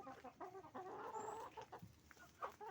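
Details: Chicken farm with roosters and hens calling; a drawn-out, wavering squawk near the middle stands above rapid clucks from many birds, with a brief high whistle-like tone and a low background hum.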